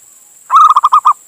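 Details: Local male zebra dove in Indonesia calling to a female, a lure sound: one clear phrase with a long drawn opening coo followed by four short bubbling pulses at even spacing.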